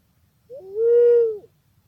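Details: Pink-necked green pigeon giving one mellow, steady whistled note of about a second, starting with a brief higher inflection and ending with a short upturn, in quiet surroundings.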